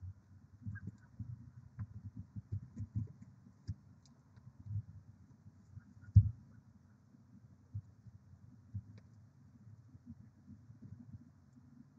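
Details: Only a low, steady rumble with scattered soft thumps is heard; no animal calls stand out.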